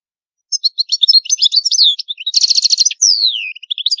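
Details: European goldfinch of the old Palermo, Sicily song style, used for tutoring young birds: a quick tinkling twitter of high varied notes, a dense buzzy trilled burst, then a long descending whistled slur, with no background noise.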